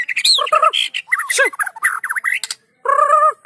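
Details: White-rumped shama song meant to stir other shamas into singing: a dense medley of harsh squawks, slurred whistles and mimic-like notes, a short pause, then a loud nasal harmonic call.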